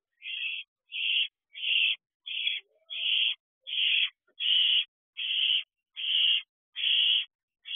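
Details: Barn owl owlets at a nest box at 10:00 pm on 29 June 2023, scrambling for food their mother delivered; harsh hissing screeches in a steady series, about eleven bursts, one every 0.7 seconds or so.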